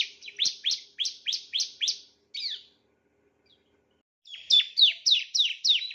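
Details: Bar-winged prinia song as a tutor recording for other birds: a row of six quick sharp downslurred chips, a buzzy note, a silent gap, then another fast series of chips.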